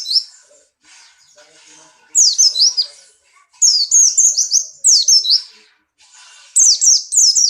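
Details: Caged Buxton's white-eye, pleci Buxtoni, in strong breeding condition, hopping about while singing: bursts of high, sweet, rapidly tumbling twittered phrases, each lasting about a second, separated by short quiet gaps.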